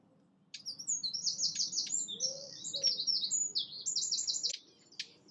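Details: A European goldfinch at Fobney Nature Reserve, Reading, Berkshire, UK, in early summer gives a fast, tinkling, high-pitched twitter of liquid notes for about four seconds over a faint low rumble.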